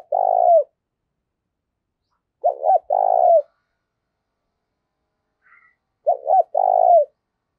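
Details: Spotted dove decoy call meant to stir up fighting. Three phrases of paired short coos plus a lengthy purring note that falls off at the end, spaced about three seconds apart, with a faint high chirp between them.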